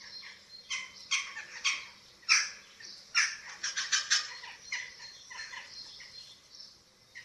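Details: Eurasian eagle-owl at a nest webcam in Germany, 27 March 2024, during feeding of the chicks: a run of harsh, raspy, squealing bursts, some doubled, coming irregularly every half second or so over a faint steady hum.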